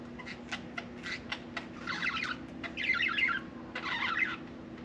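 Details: Pet budgerigar that seems eager to talk, uttering sharp clicks and ticks followed by three rolling bursts of rough, warbled chatter, roughly one each second, indoors.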